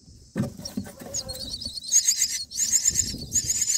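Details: Myna chicks on day 9 in the nest give high, wheezy, rapidly repeated begging notes as a parent feeds them a black cricket, with a few low thumps and rustles at the start.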